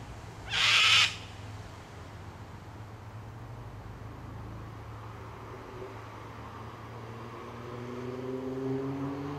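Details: A cockatoo in a tree gives a single short, raspy screech of complaint at a person's presence, followed by quiet, then a low rumbling hum that slowly rises, perhaps traffic.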